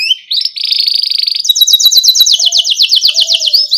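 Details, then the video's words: Young-canary tutor song from a rolling ngerol canary with cuit cuit chirps: a short high note, a steady buzzy trill, then a long even series of rapid sweeping notes repeated several times a second. "Pancingan Kenari Gacor NGEROL Cuit CUIT Rekomendasi buat MASTERAN Kenari PAUD agar Cepat BUNYI"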